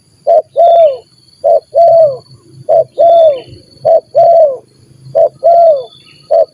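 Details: Spotted dove of the 'gagap' (stuttering) type encountering another gagap bird during lure trapping; paired low coos, one brief and one drawn-out with a falling end, repeated steadily about once a second, faint other bird notes above.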